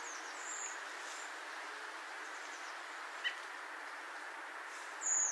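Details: Redwing, a winter thrush usually in flocks, giving its clear, indrawn whistle flight call: one faint near the start and one clearer at the end, over a steady hiss.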